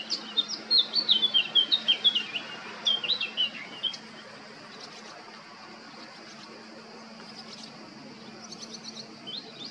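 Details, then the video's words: Eurasian blackcap male on Krk island, Croatia, recorded 20 July 2022 at Baška: about four seconds of fast, loud, fluty warbling in quick rhythmic notes, then a long quiet stretch with only faint distant chirps and steady hum. "Crnokapa grmuša, mužjak (Sylvia atricapilla)(Birds of Croatia- Blackcap, male)"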